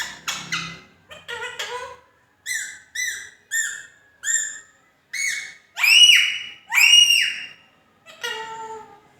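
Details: Indian ringneck parakeet, a pet talking bird. Loud, clear squawking notes repeated about once every half second in a steady series, ending with two longer, stronger arched calls and a final lower harmonic note.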